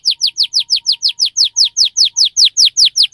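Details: Cuit-cuit canary song with fast, tight delivery, used to trigger singing in young canaries: a steady series of loud, sharp downward-slurred chirps, about five per second, with a faint thin tone beneath.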